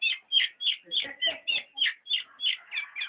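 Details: Black-naped oriole repeating a bright, slightly harsh note roughly three times a second in a steady, even rhythm.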